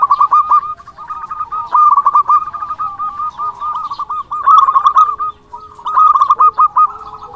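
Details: Energetic local zebra dove song meant to provoke rival doves into replying: repeated rolling bursts of fast, even coo pulses, several phrases with brief gaps, steady pitch throughout.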